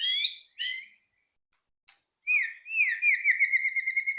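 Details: Shama song played as a lure to coax other birds into quick singing: two sharp high notes, a gap, then rolling whistled phrases that rise and fall before settling into a long, steady, ringing trill.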